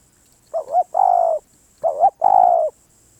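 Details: Spotted dove cooing: two phrases, each a short wavering double note followed by a longer, steady, slightly falling coo, in a quiet setting.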